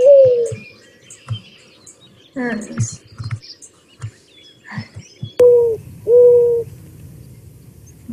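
Mourning Dove giving low, mournful, hollow coos, a soft opening note followed by drawn-out steady hoots, with faint clicks and chirps in the background.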